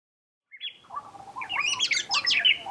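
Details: Oriental magpie-robin singing: after a high thin whistle, a run of varied sweet whistled and chirped notes rises and tumbles, growing busier and louder toward the end, with quiet background.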